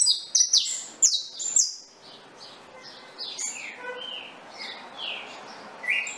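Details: Saffron finch singing: a burst of sharp, high chirps and downslurred notes in the first two seconds, followed by softer scattered chips and short slurred phrases.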